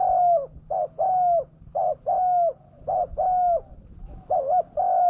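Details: Spotted dove cooing as a lure to pull wild doves down: steady run of two-part hoots, short then long and level, about one pair per second, with a low background drone.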